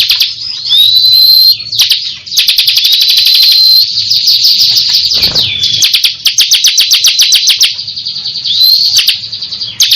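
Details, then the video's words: Crystal sunbird in full, energetic song: long runs of fast, sharp, high ticking notes. Thin upslurred whistles come at the start and the end, with a brief rustle midway. "Ciblek kristal gancor"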